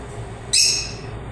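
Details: Lovebird giving one short, harsh, high-pitched chirp, a bright buzzy burst of about a third of a second, then dying away over a faint low hum.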